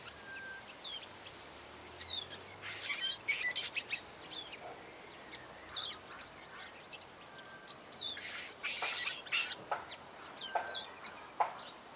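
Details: Cape sugarbird calling: scratchy, sharp chirps and short buzzy bursts in scattered clusters, some thin high notes between, over a steady background hiss.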